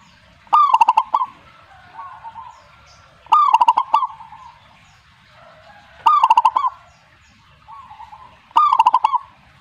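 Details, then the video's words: Zebra dove song: four phrases of fast, bubbling coo notes, each ending in a smooth trailing coo, repeated about every two and a half to three seconds. Fainter cooing from another dove answers in between. "suhu perkutut jika nyaut Burungmu bagus berarti"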